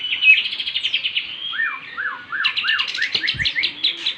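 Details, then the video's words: Lovebird song from a mastered bird in Bandung, filled with imitated kapas tembak and jenggot phrases: a rapid chattering run of high notes, then four or five rising-falling slurred whistles, ending in another fast chattering series. "love bird isian kapas tembak dan jenggot"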